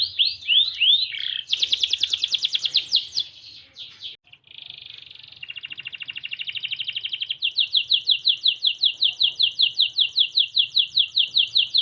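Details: White Norwich canary in varied song: a few looping whistles, a fast rattling trill, a soft buzzy passage, then long even rolls of rapid repeated notes at high pitch.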